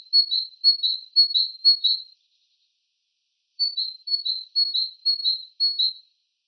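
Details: In a morning chorus along a path through open hornbeam forest, a great tit sings a bright, high two-note phrase repeated about twice a second in two short bursts, with nothing else heard.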